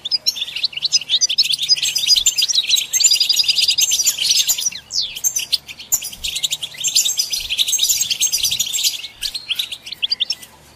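A European goldfinch twitters almost without pause: bright, tinkling chirps and liquid trills run high and fast, with only brief gaps throughout.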